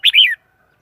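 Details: A single quick, bright red-whiskered bulbul phrase: a sharp note sliding into a slurred, falling warble lasting under half a second.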